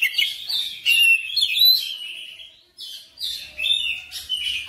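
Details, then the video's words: Oriental magpie-robin singing persistently, bursts of bright whistles and twittering, scratchy phrases separated by short pauses, with a faint low hum in the background. "KACER NGOTOT GACOR FULL BONGKAR MATERI"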